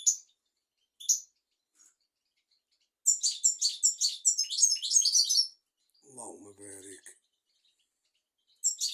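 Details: European goldfinch song for teaching young goldfinches and canaries: a few scattered high notes, then a fast, jumbled twittering phrase of about two and a half seconds, followed by a lower, rougher buzzing sound and more high notes.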